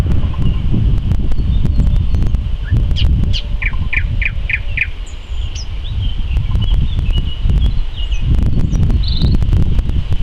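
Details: In May 2014 a nightingale sings a phrase of five quick repeated upward-flicked whistles, with scattered softer chirps before and after, over constant deep wind-like rumble and crackling clicks.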